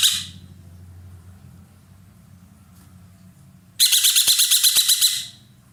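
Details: A roller, a loud-voiced Indonesian cage bird used to tutor songbirds, gives one long, rasping, rattling burst of about ten pulses. It follows the tail of an earlier call, with a low hum in the background and a couple of clicks.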